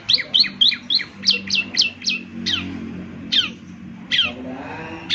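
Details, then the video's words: Ciblek semi song for morning playback: a quick run of high, downward-slurred chirps that slows into widely spaced single notes, with a faint low rumble beneath. "ciblek semi gacor, putar tiap PAGI agar ciblek semi ikut nyaut bunyi GACOR"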